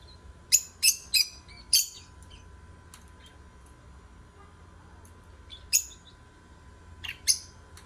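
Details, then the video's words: Lovebirds singing, heard as a few sharp high chirps in a quick run, then a long quiet gap before more scattered chirps near the end, over a steady low hum. "8 Minutes Love Birds Singing, Stimulate other birds"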